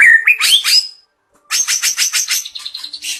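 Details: White-rumped shama singing: rising whistles and rich warbled notes, a short pause, then a rapid series of sharp repeated chattering notes.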